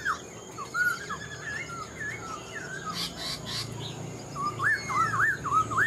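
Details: Black-throated laughingthrush song from a mature wild-caught bird kept in a cage: wavering whistled phrases, a pause with brief noise, then a fast rippling series of looped whistles.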